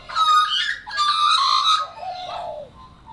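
An Australian magpie sings rich, fluting, warbled phrases in two loud bursts, then a lower, softer gurgling trail.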